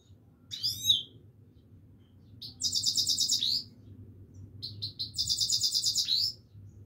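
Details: Himalayan goldfinch song delivered as separate bursts: an opening slurred chirp, then two long rapid buzzy trills of about a second and a half each, with quiet gaps between and low hum throughout.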